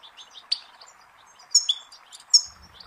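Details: Goldfinch singing on a training tape for chicks and songbirds. Scattered soft high twitters lead into three sharper bursts of tinkling, buzzy notes. A faint low rumble enters near the end.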